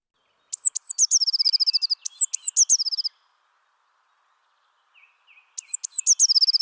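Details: Eurasian Blue Tit song from France, where it is found year-round: two or three very high, thin notes that drop slightly in pitch, then a fast ringing trill. Two full phrases about two seconds apart, with a third beginning. No background noise.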